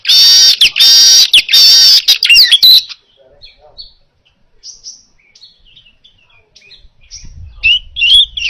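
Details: Baya weaver singing actively, recorded clearly as a training model for other songbirds: about three seconds of loud, harsh buzzy wheezes and chatter, then faint scattered chirps with soft low rumbling toward the end.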